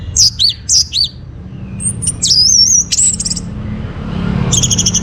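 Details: Orange-headed thrush in North Bali singing in the morning, a lure for breeding condition: four quick downslurred whistles, then long thin high drawn notes and a trailing buzzy phrase over low rumble.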